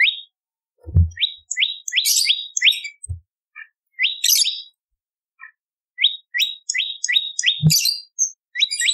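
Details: Bar-winged prinia voice used for luring birds: short clusters of quick descending chirps mixed with higher twittering notes, in bursts separated by pauses, with a few low thumps.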